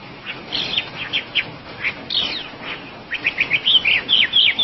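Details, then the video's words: Oriental magpie-robin, locally called wambi, singing: scattered short whistled and chirping notes, then a quicker run of bright, clipped slurred whistles near the end, over a soft background hiss. "kompilasi suara wambi gacor komplit"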